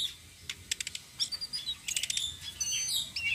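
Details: Flowerpecker, the citrine blue-shawled type, singing a rolling song used as a lure for other birds: bursts of thin, high chirps and short twittering notes, with dry clicking sounds between the phrases.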